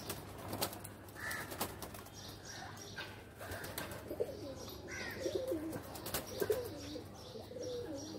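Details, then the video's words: Pigeons in a loft: a run of low, rolling, wavering coos in the second half, preceded by sharp wing claps and short higher calls. "Pigeon are playing in loft"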